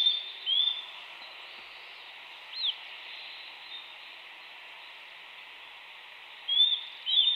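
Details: Eurasian nuthatch giving scattered clear whistles, a rising note, a short falling one, then a pair of upslurred whistles after a long quiet gap, with a steady faint hiss throughout.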